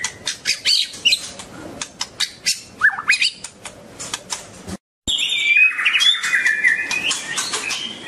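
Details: White-rumped shama (Copsychus malabaricus) dancing and singing: rhythmic clicks and short chirps, then after a brief silence a loud, sweeping phrase of high whistles and rapid warbled trills.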